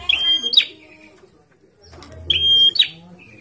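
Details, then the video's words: Caged Bar-winged prinia sunning and singing busily: two loud ringing phrases, a level high whistle snapping upward at the end, roughly two seconds apart, over a quiet low hum. "PRENJAK GACOR DIUMBARAN"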